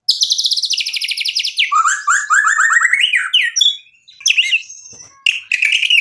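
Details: White-rumped shama singing to draw a rival into answering: a high rapid trill, then a series of rising rattled notes, a pause, and harsh high scratchy bursts.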